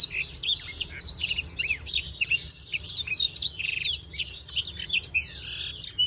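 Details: Breeding black-throated canary in full song: rapid, unbroken run of high twittering notes with quick up-and-down slurred whistles and brief buzzy trills.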